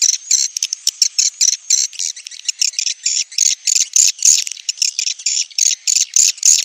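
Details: Swiftlet calling its young, heard as a fast run of short, raspy high chirps repeated about three times a second in uneven clusters. The background is quiet.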